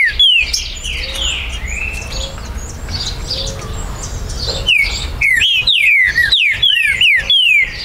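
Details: Green-winged saltator song recorded at a Brazilian breeder's premises on 19 September 2020, meant to trigger territorial rivalry; softer distant whistles at first, then a fast run of loud descending whistled notes, about two per second.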